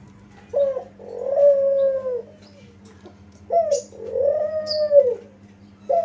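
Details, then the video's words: Spotted dove calling as a lure to make other doves answer: a brief clipped note then a drawn-out soft coo, heard twice, with a faint high chirp over the second coo and low background hum. "pancingan ampuh gacor burung kuter di jamin nyaut"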